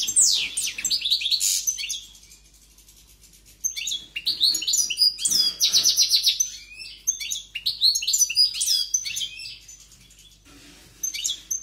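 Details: Powerful European goldfinch song in bursts: rapid liquid twitters, buzzy rattles and thin whistled slurs, separated by short quiet gaps around two and ten seconds, nothing else audible.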